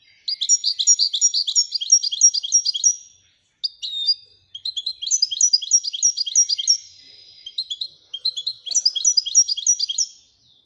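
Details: Ouidani-style song of a Moroccan goldfinch, delivered in three lively phrases of quick, high twittering and metallic chirps. Each phrase is separated by a short silence, with a clean, quiet background.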